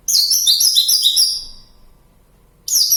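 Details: Javan bush lark singing freely in the wild around Kediri, Java: one dense, high chattering phrase of quick jumbled notes lasting over a second and fading away, then silence before a new burst starts.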